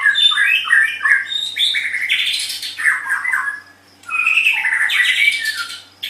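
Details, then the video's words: Energetic white-rumped shama song recorded as a model for training other songbirds, with dense, harsh warbling and squeaky mimic-like phrases in loud bursts separated by a short pause, and a faint steady hum behind. "SUARA MASTERAN - Ocehan Burung Murai Batu"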